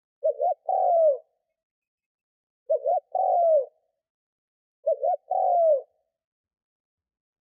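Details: Spotted dove, a decoy bird calling to lure wild doves: three cooing phrases, each two short rounded notes and then a long, falling, slightly burry coo, repeated about every two and a half seconds against silence.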